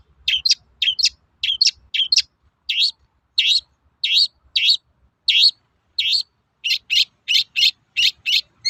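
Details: Long-tailed shrike in full toet-toet calling, a sound meant to provoke other shrikes: harsh, scratchy, high double notes repeated in a steady rhythm, at first in quick pairs, later evenly spaced about twice a second.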